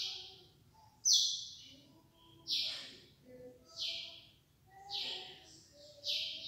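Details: Young lesser seed finch listening to its tutor; loud buzzy bursts near the top of the range repeat about every one and a half seconds, with faint low tones and soft background hum between them.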